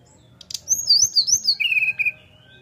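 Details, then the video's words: Caged brown-chested jungle flycatcher singing open-beaked in a whistling style to draw other birds into singing. A sharp click, then high wavering whistles falling into a lower, steadier whistled phrase. "Srdc nyuling buka paruh untuk pancing SRDC lain ikut bunyi ampuh"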